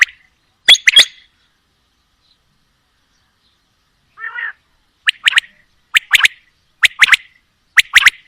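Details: Mixed female and male quail calling: sharp, clicking, two-note phrases, a soft burry note, then a rapid, regular run of paired high notes close together.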